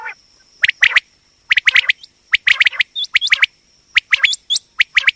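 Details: Common quail female voice, batair call for hunting: loud clipped chips in tight doublets and triplets with occasional short upward-hooked whistles, bunched irregularly, a constant thin electronic tone behind.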